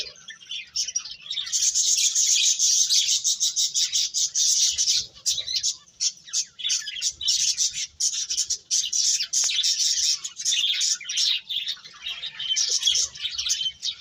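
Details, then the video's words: After a quiet opening second, birds break into an intense, buzzy chorus of fast, harsh chirps, about three per second, that continues almost without pause. "Cute Birds Chirping Sounds"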